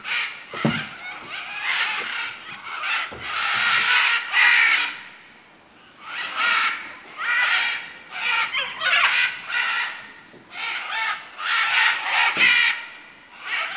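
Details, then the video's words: Macaws in Manu, Peru, giving repeated coarse, rasping screeches in bursts, with a quiet stretch midway and occasional low knocks and rustles. "Guacamayos Manu Perú"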